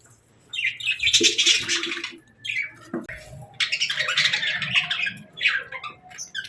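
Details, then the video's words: Happy pet budgies chattering as they eat: bursts of fast, raspy, high warbled chirps in two main runs separated by a short lull, with a low knock or peck sound between them. "Happy Budgie Sounds | Budgies Chirping & Eating Sounds"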